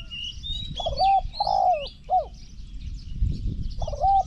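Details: Zebra dove singing in a Thai decoy trapping contest where call points are scored. Three or four mellow hooting coos come in quick succession, then another pair near the end, over high twittering birds and low rumble.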